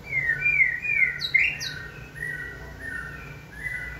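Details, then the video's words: White-rumped shama being trained to sing on a human prompt: a run of clear whistled phrases, some sliding and some warbled, with brief high chips midway and a faint low hum behind. "Kỹ thuật kích thích lửa cho chim hót (shama bird)"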